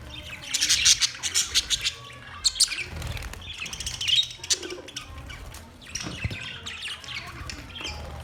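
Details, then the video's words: Budgies in a lively chorus of rapid chirps and harsh squawks, dense early and again near the end, with a short quieter warble in the middle. "Budgies birds chirping sounds Budgies parrot sounds"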